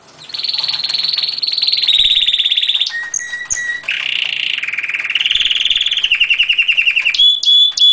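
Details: Canary singing a loud, continuous song of rapid rolling trills, shifting between high buzzy tours and lower rattling passages, with brief sharp whistled notes and no pauses.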